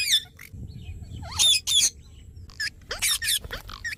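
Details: Pet parrot giving short harsh squawks and high rising whistled notes in quick bursts, louder pairs near the middle and a run of clipped squeaky calls later, over a low background rumble.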